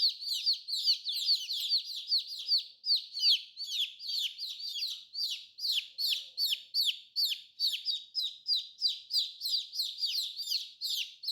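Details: Colorful baby chicks peeping nonstop, a rapid stream of high, downward-slurred peeps, about two or three per second, with several chicks overlapping and no other sounds.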